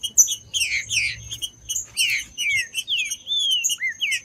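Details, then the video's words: Green-winged saltator song used to stimulate caged birds for tournaments: clustered chirps and slurred whistles, then clear drawn-out falling whistles repeated toward the end. "ESQUENTE SEU TRINCA FERRO MELHOR ESQUENTAR TRINCA FERRO frio TRINCA FERRO CANTANDO"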